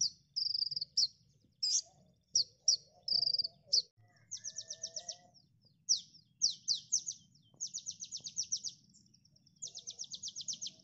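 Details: Common Iora song recorded for training songbirds: high, thin notes, then rapid buzzy trilled bursts and sharp chips in quick succession, with faint low background rumble.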